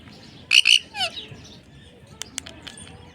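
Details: Parrot in its natural voice giving a pair of loud, harsh squawks, then a shorter falling note, followed by scattered sharp clicks and faint chirps over quiet background hiss.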